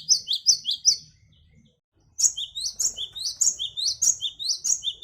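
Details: Great tit singing, a recording meant to attract wild birds: three quick descending two-note phrases, a brief gap, then a long steady run of roughly ten more, loud and clear.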